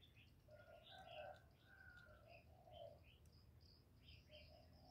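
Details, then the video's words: Spotted dove coo phrases in the 'giọng thổ' voice style, used to excite males: hollow low notes in a rolling series, with a thin whistled note from another bird and faint high chirps. "Cu gáy GỌI+THÚC+GÙ hạp bổi kích trống hiệu quả, Cu Gáy giọng thổ, tiếng cu đất.cườm gáy, cu đất gáy"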